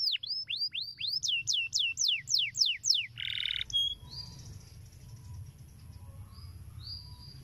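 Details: Canary song used to stimulate young canaries to sing: a series of about ten looping whistled notes, each swooping up and down, then a brief buzzy trill and sparse thin whistles over a low background hum.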